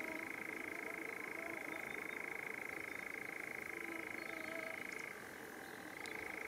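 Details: A European nightjar churrs at night in the Drents-Friese Wold: a steady, rapid mechanical trill that drops briefly in pitch near the end, then rises back to its first level.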